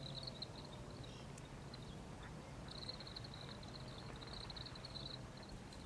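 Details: A grey-capped greenfinch, recorded 16 January 2023, gives soft, high twittering notes in quick runs, with a pause before a longer burst, over a steady low traffic-like rumble.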